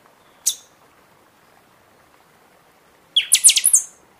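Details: {'caption': 'A buffy-fronted seedeater sings much in season, its song meant to fire up caged birds post-moult: a single sharp high note, a pause of nearly three seconds, then a loud rapid phrase of piercing ringing notes.'}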